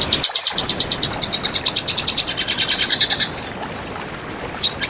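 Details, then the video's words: Red siskin in full song: a rapid, loud, pulsing buzzy trill lasting over three seconds, switching to a smooth, high, level whistled trill at the end. "Masteran Pancingan Bunyi Burung Red Siskin"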